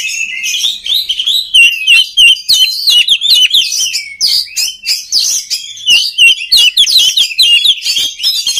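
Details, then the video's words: Oriental magpie-robin singing, a recording for training other magpie-robins: a fast, unbroken stream of twittering, slurred and chattering notes, loud and varied throughout. "SUARA KACER PALING DI CARI UNTUK MELATIH MENTAL KACER LAIN AGAR CEPAT GACOR"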